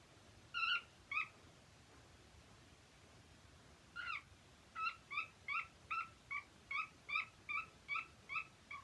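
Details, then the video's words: Happy cockatiel singing: two clear whistled notes, a pause of nearly three seconds, then a steady run of about twelve short harmonic chirps, each roughly half a second apart. "HAPPY COCKTAILS 🎶 Singing 🎶"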